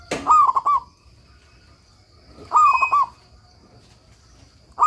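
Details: Zebra dove of a local type in full song, offered as master audio for training other doves; two complete phrases about two and a half seconds apart, each a bright coo breaking into rapid rolling notes, with a third phrase just starting.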